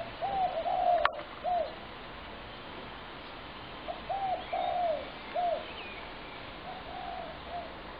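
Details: Spotted doves in a Brooklyn Park backyard on 6 November 2016, being fed there. Soft, hooting coo phrases come in short, repeated bursts with slight downward bends, some overlapping. A sharp click sounds near the start.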